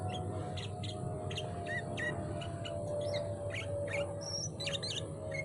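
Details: Sooty-headed bulbul hung on a bird-contest pole, singing melodiously: a run of short, bright chirps and slurred whistles at an uneven quick pace, over a constant engine rumble and steady background hum.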